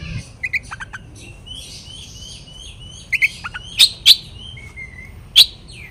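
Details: Oriental magpie-robin singing a lure song meant to make rival birds agitated: scattered short chirps, sharp clicking notes and a few thin whistled phrases with pauses between, over a faint low background hum.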